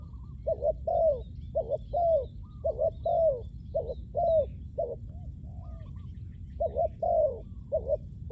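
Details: Spotted dove coos for luring wild doves on the ground: low paired notes with a falling second syllable, repeated in rhythmic runs, plus a few softer higher coos from another dove in the background.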